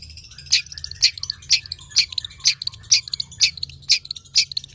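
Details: Long-tailed shrike, tame and singing mimicry used to prompt and train other birds: a regular series of sharp, loud high bursts about every half second, each followed by softer twittering notes.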